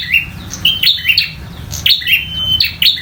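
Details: Fighting local bar-winged prinia giving rapid high chirps and brief level whistles, phrases repeating about once a second, with a low constant hum behind.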